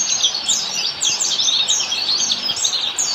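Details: Oriental white-eye (pleci) delivering ngalas-style song for master training of caged birds: hurried, high, squeaky twittering made of short falling notes in quick bursts, with a faint hum underneath.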